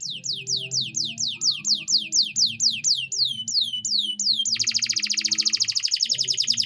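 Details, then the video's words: Canary in lively cengkok mewah song, used as a tutor recording for young birds: a run of about thirteen bright, high notes slurring downward, each repeated under a second apart, then a sudden fast buzzy trill. A low steady hum lies underneath. "MASTERAN KENARI GACOR || Cengkok Mewah"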